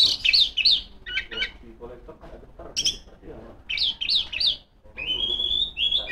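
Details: Female Oriental magpie-robin in full ngeplong song, calling rivals: clusters of quick looping whistles alternate with softer scratchy notes, then a long, steady, high whistled note to close.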